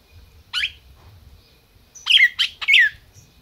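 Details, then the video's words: Captive-bred red-crested cardinal in Brazil, calling: one sharp downward-swept note, then three loud chip notes in quick succession after a pause, with faint low rumble underneath. "Cardeal MAQUINA chamando e cantando"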